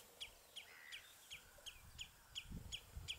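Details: House sparrows perched on a bramble branch at Battenoord give chirps: short, bright notes repeated steadily about every 0.4 seconds, eight in a row, over a low rumble of wind or traffic.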